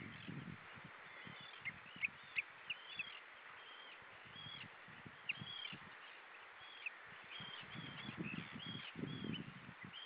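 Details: A Common redshank at Hyljes on 20 June 2013 at 19:23 calls before flying away, giving a quick series of sharp, high piping notes, some rising and falling, repeated irregularly over low wind rumble.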